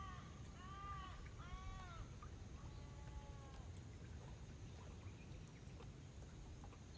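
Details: Pacific black duck by a lake in Woromi Country, preening and resting; two loud arched harmonic calls followed by a flatter, drawn-out note, then only low ambient rumble.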